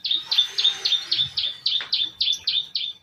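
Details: Long-tailed shrike repeating a toet toet lure phrase meant to draw other shrikes: clear, high, slightly falling notes delivered about four times a second, each with a buzzy edge.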